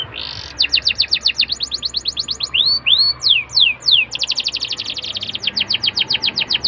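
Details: Canary lure song for getting young birds to sing readily: rapid repeated high trills, broken midway by a few arching upward slurs, then resuming with fast trilling.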